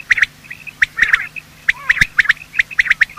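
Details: Quail calling at morning, male and female, a recording made for hunting quail. Crisp short notes fall in pairs and threes at a steady pace, with faint whistles and one low thump between them.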